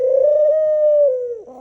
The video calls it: dove making sounds